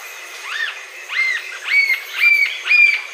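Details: Green-tailed jacamar giving spaced, arching high whistles, each rising and falling, repeated about twice a second and growing louder over the clip.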